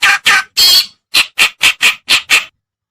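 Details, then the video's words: Reed warbler lure recording, white-browed or black-browed type: nine harsh, buzzy chattering notes, the first three longer and the rest short, evenly spaced, then silence. "Suara Pikat Burung Kerakbasi Alis Putih/Alis hitam(cikrok)"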